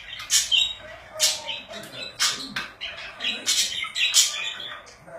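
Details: Pet budgies call in sharp, screechy chirps and grating squawks, spaced in bursts roughly every second with quieter warbling between them.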